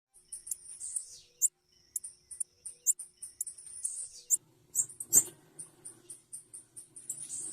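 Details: Female blue-black grassquit calling: thin, very high chips repeated irregularly, some short and sharp, others drawn into brief buzzy slurs, with occasional loud clicks and a low steady hum beneath.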